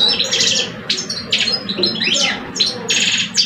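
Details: Two caged male European goldfinches in a singing duel in Algeria, one an old adult and the other two years old; dense high twittering with buzzy bursts and quick rising slurred notes, separated by short pauses.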